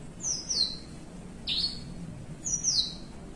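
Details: Caged Horsfield's bushlark sitting relaxed, singing the long melodious style known as melung panjang: three high, thin whistled phrases, each sweeping down in pitch, spaced about a second apart over a quiet low background hum.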